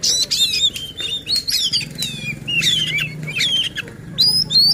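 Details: Magpie-robin song played to provoke other magpie-robins into persistent singing and to train lazy or contest birds; quick chattering phrases of rising and falling whistles, with a low droning hum in the background.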